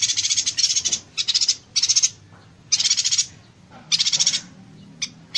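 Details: A yuhina gives bursts of rapid, high, dry chattering notes, dense like gunfire, each about half a second long, with short pauses between and a faint low hum underneath; used to tutor songbirds.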